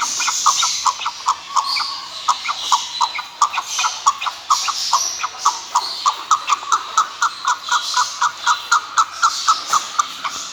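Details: Chukar partridge calling in a long series of sharp clucks, roughly four per second, growing louder and more spaced toward the end.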